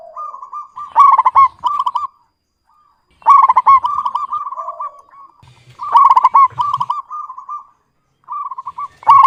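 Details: Zebra dove of a local strain, calling steadily with a clear lure voice: three bouts of rapid pulsed cooing, each opening with stuttered notes and running into a level purring trill, spaced roughly three seconds apart.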